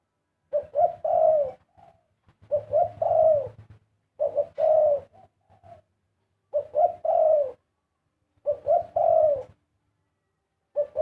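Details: Repeated cooing song of a zebra dove, short rising notes leading into a longer falling coo, roughly every two seconds, with a faint low rumbling and small soft notes between some phrases.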